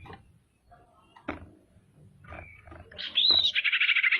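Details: Female common iora singing as a lure for rival ioras: after low clattering and background noise, a clear whistled note leads into a buzzy, rapidly pulsed phrase.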